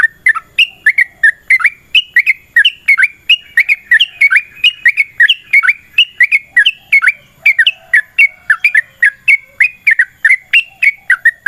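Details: Extended 'ropel panjang' song of a yellow-vented bulbul in fighting 'tarung' style, used as a lure: an unbroken run of rich, bubbly, warbling notes bouncing up and down, kept going for many seconds.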